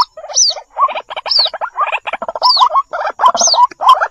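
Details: Lure recording of white-breasted waterhen with chick calls: harsh gurgling bursts of rapid mid-pitched notes alternate with high, arching, downslurred whistles at roughly one-second intervals.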